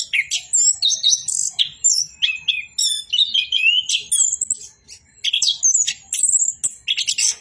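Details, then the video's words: Orange-headed thrush singing 'bocor' style. Short clear whistles, chirps and high twittery phrases follow in quick succession, with one brief lull near the end. "BURUNG ANIS KEMBANG BOCOORRR"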